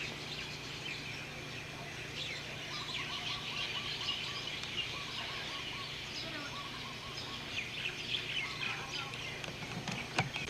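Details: Birds chirping on hotel grounds in Oahu, Hawaii, August 1994: short rapid trills repeated in bursts, mixed with sharp high chirps from several birds, over a steady low hum.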